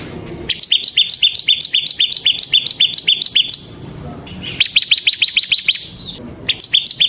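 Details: Bar-winged prinia song used as lure and training recording: long runs of quick, evenly repeated high chip notes, about four per second, broken by a short pause, with soft background noise.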